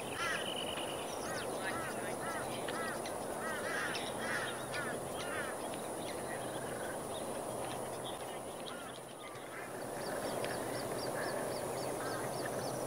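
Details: Plumed whistling ducks with young along a rural road near Moggill, Queensland, Australia: repeated arched whistling notes against steady broadband noise, with a rapid series of high chips from another bird.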